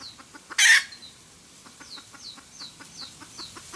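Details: Cackling red junglefowl hen used for trapping: a single loud raspy squawk, then steady rapid clucking about five per second, with repeated high downslurred whistles in the background.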